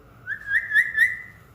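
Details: Talking pet parrot imitating a cat's meow: a clear whistled tone that rises and then holds nearly level, swelling in loudness three times in about a second, against a quiet background.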